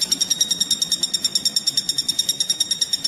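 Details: Common flameback (local name pelatuk bawang) on a songbird training recording: a fast rhythmic chain of bright, nasal pulses, roughly twenty in three seconds, evenly spaced and high-pitched throughout.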